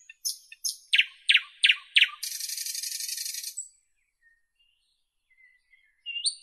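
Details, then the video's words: Nightingale song phrase built of five loud piping notes spaced evenly, running straight into a long grating buzz, then quiet before a faint rising whistle begins. "Nightingale Birdsong"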